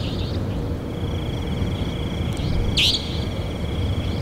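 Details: Savanna nightjar giving a single loud, harsh, rising buzzy note, with a faint trailing echo, over a steady high insect-like whine and a constant low rumble.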